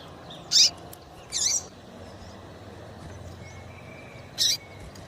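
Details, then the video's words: A female Double-collared seedeater calling, used to excite males. Two quick, high chirps close together, then a long pause before a third sharp chirp, over a noisy, hissing background. "Melhor Piado de fêmea de Papa capim para Esquentar e foguear Papa capim"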